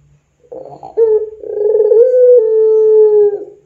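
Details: Puter pelung dove, a long-cooing dove kept for song, cooing energetically as a lure to train other doves: a brief rough opening, then one long steady, slightly falling hollow coo drawn out for over two seconds, in a quiet indoor setting.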